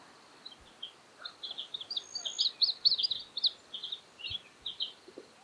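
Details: Juvenile Australasian grebe begging as an adult feeds it yabbies at Littlehampton, South Australia, 13 October 2020; a long string of high, chattering peeps, steady and insistent, over a soft noisy background with occasional low knocks.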